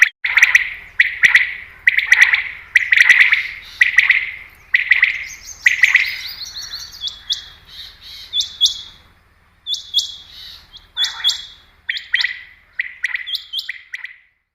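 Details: Common quail call used for hunting: loud clipped bursts of rapid notes repeat about once a second. Later they give way to thin, high, rising whistles, with the bursts returning intermittently.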